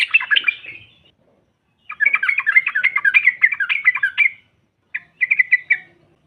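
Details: Rival-provoking chatter of a female yellow-vented bulbul: a short opening burst, a long run of rapid bubbling notes, then a brief clipped phrase at the end.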